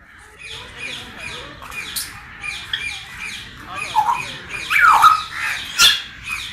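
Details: Parrot squawking repeatedly in harsh, rasping bursts that grow louder toward the end, over faint chatter and other background noise.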